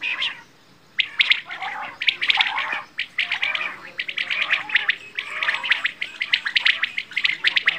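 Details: Quail (bedana) chattering almost continuously after a short quiet opening, with dense, overlapping sharp chirps and twittering notes.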